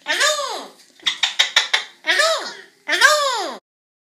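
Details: Double yellow-headed amazon (Amazona oratrix), a pet, talks in three drawn-out, arching, voice-like phrases ("hello", "how are you", "come on") with a quick run of five short laughing syllables between them.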